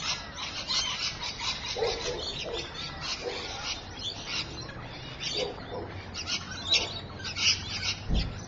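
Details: Rainbow lorikeets at Evans Head, 26 May 2012, 3:45 PM: continuous harsh, buzzy chattering and screeches overlapping throughout, as if several birds are calling at once, over a steady background hiss.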